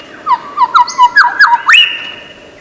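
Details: Lyrebird, a bird of Australian forests known for imitating other sounds, giving a run of seven clear whistled notes that bounce up and down, ending in a rising sweep into a long held high whistle.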